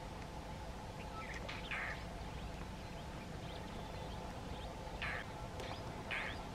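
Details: An Indian roller, recorded in the morning in Agar Malwa, India, gives three harsh, rasping bursts a few seconds apart, over a steady low rumble of background noise, possibly while flicking its tail feathers.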